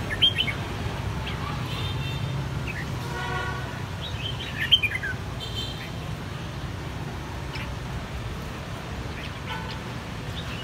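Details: Bell-like song of red-whiskered bulbuls, three siblings of one brood, cheeks reddened from white in a single season; bright whistled phrases and a buzzy stacked note early, then sparser clear notes, with a continuous low rumble behind.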